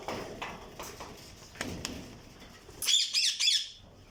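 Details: Alexandrine parakeets in breeding cages, unedited recording. Soft scratching and clattering fill the first three seconds. Then come three loud, harsh, rasping squawks in quick succession, each lasting a fraction of a second, before the sound fades.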